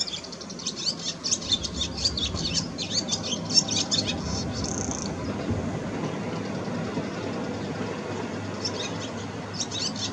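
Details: A barn swallow sings, twittering in fast, high chirps for about four seconds, then giving a brief buzzy trill and resuming chirping near the end, over a steady low rumble.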